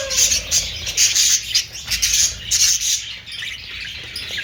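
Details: Budgerigars chattering together, a dense stream of scratchy, warbling chirps and short squawks, high-pitched and almost continuous, with brief louder bursts.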